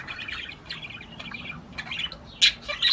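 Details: Budgerigar singing to stimulate the female to mate: soft chattering warble of high scratchy notes with a few louder sharp chirps near the end.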